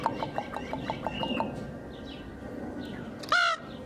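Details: A 10-year-old female common raven with a wing injury, kept at a zoo, called while perched on a keeper's arm, gives a quick run of eight short clucking notes, then one loud, ringing, nasal call; soft background murmur.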